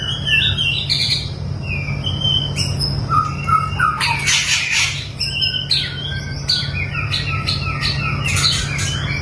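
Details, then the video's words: White-rumped shama with a long tail, trained for mental strength, delivers quick whistled notes and harsh bursts against a noisy background with a steady low hum. "melatih mental burung murai batu ekor panjang"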